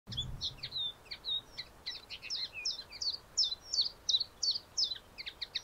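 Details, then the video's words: A common linnet (Linaria cannabina) sings at Lentevreugd, Netherlands, on 13 April 2021, a fast, varied twitter of bright chirps and short trills, about three notes a second, with a soft thump at the start. "Kneu Linaria cannabina, zang"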